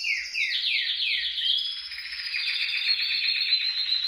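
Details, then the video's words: Canary song for prompting canaries to sing: a run of quick downward-slurred whistles repeated about twice a second, flowing into a steady fast trill. "100% TU CANARIO CANTARÁ CON ÉSTE VÍDEO | CANTO CANARIOS"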